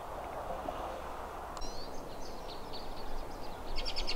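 Western kingbird giving sharp high kips and short sputtering twitters, ending in a quick chattering burst, over a steady low rumble of background noise.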